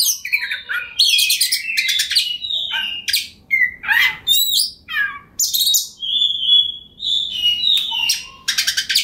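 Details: Kacer, the Oriental magpie-robin, singing hard as a lure for opponents; clear whistled notes, some long and level, alternating with harsh rattling bursts and downward slurs, with faint low background hum.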